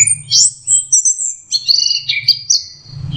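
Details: Orange-headed thrush, a young bird practising its song: high sweeping whistles and squeaky twittering phrases run together without pause, with a low background hum throughout.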